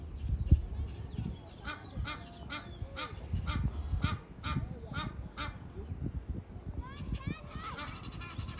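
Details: Wild geese in mating season giving a run of loud, harsh honks, about two to three per second for several seconds, over low rumbling background noise, with fainter chatter near the end.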